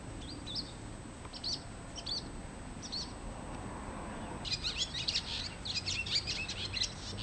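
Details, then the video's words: Swallow that came to a home garden, first giving spaced single high chirps, then breaking into a dense, rapid run of twittering notes, all over constant background hiss. "ツバメの鳴声・Cries of swallow"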